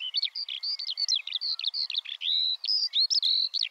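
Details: Eurasian skylark (Alauda arvensis) singing a brisk string of high chirps and short whistled slurs, several notes each second, some longer held tones near the end.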